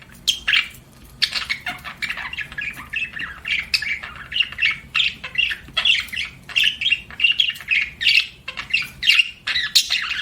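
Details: Budgie chirping: a series of short squawky notes repeated roughly every half second, forming a rhythmic chatter, with quieter chirps behind.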